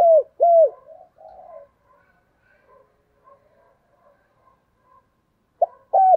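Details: Caged decoy spotted dove cooing to lure wild doves: two loud, arched, downslurred coos open the sequence, soft murmuring notes trail off, then two more strong coos return near the end.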